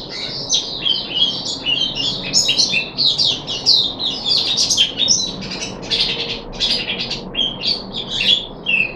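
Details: Recorded 14 July 2021 on the third deworming day, a puff-backed bulbul delivers energetic high warbles and harsh chirps in quick irregular bursts.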